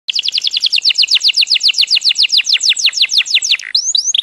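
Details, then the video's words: Bird song: a fast, even series of about thirty sharp downslurred whistled notes, roughly eight per second, falling from high to middle pitch, closed by two short rising notes; clean recording with no other sounds. "The best bird song"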